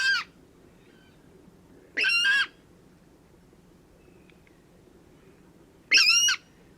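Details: A Water Rail in spring at the Domaine de Graveyron near the port of Audenge, very close at perhaps 5 m behind a bush, gives three harsh, piglike squeals, each about half a second long, two to four seconds apart, over a quiet hum.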